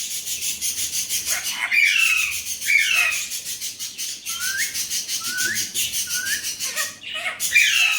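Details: Talking Alexandrine parakeet, Urdu/Hindi words claimed: continuous loud, harsh, raspy chatter with short rising whistled inflections scattered through, briefly dropping away near the seventh second.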